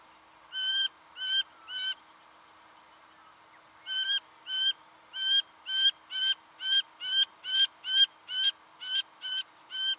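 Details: Singing honeyeater recorded in Victoria, Australia, November 2011: three nasal, ringing notes, a pause, then a long fast run of about fourteen similar notes, roughly two or three per second.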